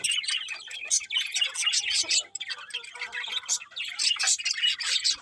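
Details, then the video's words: Birds chirping in the morning, a busy overlapping chatter of sharp, high tweets and squawks, with faint steady tones underneath in the middle. "Cute Birds Chirping Sounds In The Morning"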